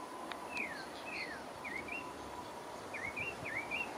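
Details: Pale-breasted thrush (Turdus leucomelas) singing in French Guiana: a few short whistled, slurred phrases around the middle of the range, spaced with pauses, over steady background hiss.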